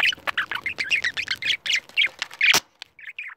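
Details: Two pet budgerigars reacting aggressively to a camera give a dense run of chirpy, scratchy warbling notes, then a loud burst and a few softer trailing chirps.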